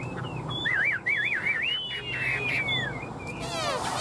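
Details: Tame caged fan-tailed Chinese Hwamei that flicks its tail while singing: looping, wavering whistled phrases that warble up and down, then a long smooth slurred whistle sliding upward and falling away, over a low background hum.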